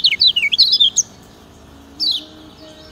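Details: Kecial kuning (lemon-bellied white-eye), Lombok, 'ciak ciak' master song meant to train other birds: one second of quick, looping high notes, silence, then a single sweeping descending phrase.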